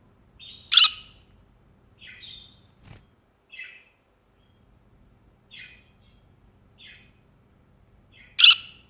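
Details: Budgerigar on a hand opens with a loud harsh chirp, then gives several soft scratchy chirps at irregular intervals, with a brief click heard midway, and ends on another loud screech.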